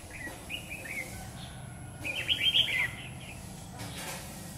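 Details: Red-whiskered bulbul, called Má lỡ, singing during trapping with a lure bird on a stormy afternoon, 9 September 2019; two bursts of loud, fast warbling whistles, the second stronger, over constant low rumble.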